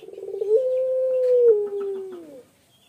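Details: Male spotted dove in full long song: a quick stuttering run of notes swells into one sustained, level coo that slides gently downward and fades after about two seconds.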